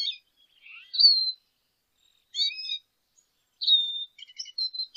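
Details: Lesser goldfinch song: separated high phrases of whistled slurred notes and short chirps, a bright descending whistle near the start and a level whistle later, with pauses between bursts; no other sounds.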